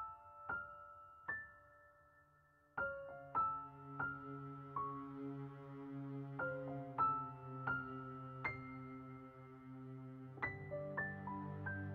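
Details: Soft, slow piano music with sustained chords and single struck notes; no animal sounds are heard.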